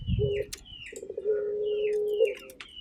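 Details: Local Barbary dove calling actively: a long, steady, rolling low coo with a throaty start, while small birds chirp thinly and high in the background.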